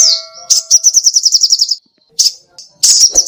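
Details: Lively sogoh ontong song used as a tutor recording for cage birds: a quick high rattle of evenly spaced notes for about a second, then brief gaps and another sharp burst, with a faint steady tone early on.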